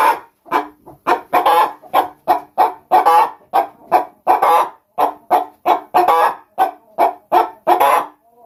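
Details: Backyard Brahma laying hens in England give loud, harsh clucks in quick succession. The bursts come roughly every half second, rising and falling in strength.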